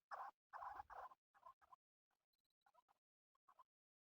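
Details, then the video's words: Male chukar partridge kept for hunting: three loud, rasping bursts at the start, then quieter broken clucks and a final short pair of notes. "Male chakoor shikar kekliksesi"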